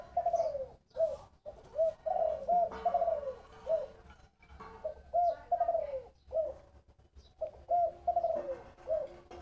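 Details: Repeated phrases of a spotted dove's 'thổ bầu' style call, soft rounded coos, several ending in a longer falling note, phrases recurring every couple of seconds over a quiet background.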